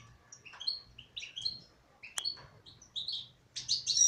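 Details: Song of a female European goldfinch: short phrases of bright, high twitters and quick upward-sliding whistles, one sharp click midway, ending in a dense tinkling trill.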